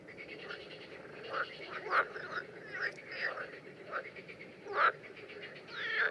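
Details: Common terns in mating behaviour, Danube Delta, June 2016: short rasping, grating calls come irregularly, roughly every second or two, some sharper and louder, over a steady noisy background.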